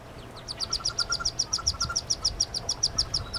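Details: Wood duck ducklings in a nest box, 2013 nesting season, one hooded merganser chick among them; sharp high-pitched peeps repeated about four to five per second, fairly regular.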